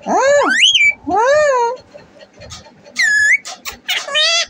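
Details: Talking desi parrot, a pet kept indoors, gives rising and falling voiced sounds like mimicked words, then a higher whistled note and squeaky chatter, with people speaking affectionately nearby.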